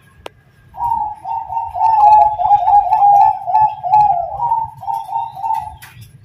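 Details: Active singing from a Bangkok-type zebra dove in terasan style: a continuous string of about five seconds of quick, trilling coos, closing with a brief upward flick, over a faint low rumble.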